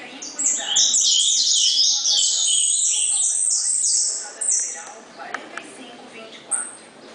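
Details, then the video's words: Recorded on 19 August 2014, an ultramarine grosbeak gives its 'gritão' song, a dense burst of high, ringing whistled notes lasting about four seconds, then quieter chirps alongside a soft murmur of speech. "Azulão Gritão"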